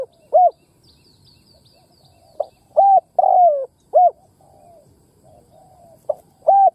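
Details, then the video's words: Spotted dove decoy bird used to stir wild males to coo, giving repeated mellow hooting phrases of short rising-falling coos with one longer slurred note, and faint high chirps from another bird in the background. "Cu mồi đất kích bổi nghe là gáy"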